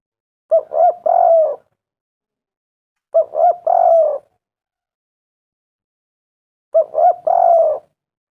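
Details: Spotted dove lure recording to make doves call: three low cooing phrases, each a short note, a second hooked note, then a longer wavering coo, with phrases coming roughly every three seconds in silence.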